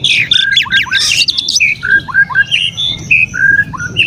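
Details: Oriental magpie-robin song used to stir other kacer into emotion: a quick scratchy flourish, then a run of clear whistles sliding down, each short phrase repeated at a brisk pace with a faint hum underneath.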